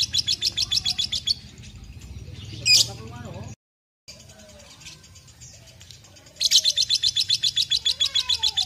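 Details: Young lovebird, two and a half months old, kept as a pet and described as a fighter, giving fast rattling chatter bursts of high notes at the start and end, with a brief squeak near three seconds and a short silent gap in the middle.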